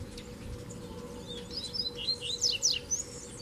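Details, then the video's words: Singing duel in the bush between a caged double-collared seedeater, kept with a female, and a strong wild black male. A fast, bright run of sharp whistled notes climbs and tumbles, building toward the end. "Casal de Coleiro na Puxada de Fibra no Mato"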